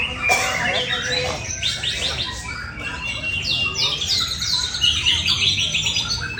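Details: Caged white-rumped shama delivering a fast song of sharp rising notes and dense trilled bursts, high and bright, over steady background hiss.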